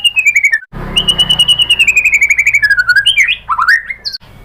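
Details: Lure song of a white-rumped shama meant to draw other birds into singing: a long fast trill sliding gradually downward, then a burst of varied whistled and twisting notes, with a low hum underneath.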